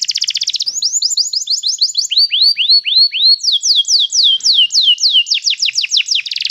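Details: Training song of a canary: a buzzy opening trill gives way to repeated rolls of swooping whistled notes, each roll shifting pitch, delivered at about three or four notes per second.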